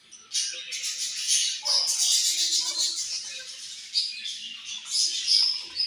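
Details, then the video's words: Colony of budgerigars at morning feeding time: dense, overlapping high chirps and warbling chatter, rising in intensity after the first half-second, with soft low knocks underneath. "Budgies Morning Food And Chirping Sounds"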